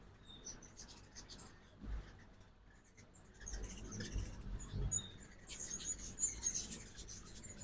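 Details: A few faint high chips early, then a denser burst of squeaky twittering near the end, from ruby-throated hummingbirds at a morning feeder in Oxford, Mississippi, during fall migration; low rumble underneath.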